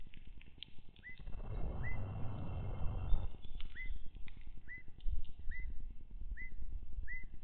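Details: Evening grosbeaks, new visitors at a Wisconsin feeder in spring, nearly May, give short, clear whistled calls with a ringing, slurred quality about every second, over low rumbling wind that swells briefly midway.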